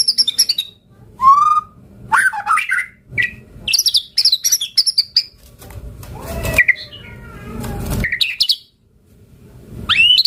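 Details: White-rumped shama singing vigorously in a varied, fill-packed song: rising whistles, high chirps and buzzy trills in bursts separated by short pauses, with a low rushing noise near the middle.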